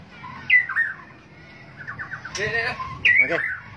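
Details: White-rumped shama singing: bright whistled slurs, a quick series of short descending notes, then a burst of buzzy, richer phrases and a final clear whistle, with some background noise.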